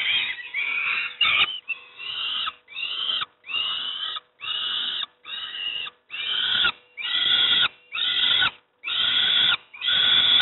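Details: Peregrine falcon young at Moszna, Pruszków, begging while given breakfast: loud harsh, hoarse screeches in bursts of about half a second, repeated roughly every second, with a faint steady hum behind.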